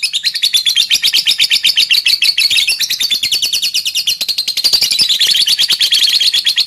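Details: Caged lovebird singing in the rapid 'ngetik' typing style with tight pauses, a pattern used to provoke other lovebirds into singing: a continuous, fast chattering stream of high, buzzy clicks and trills, steady throughout.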